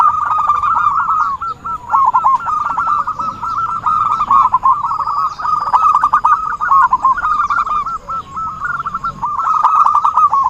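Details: Ten seconds of zebra dove calling used as a trapping lure: an almost unbroken stream of fast, rippling coos at an even pitch.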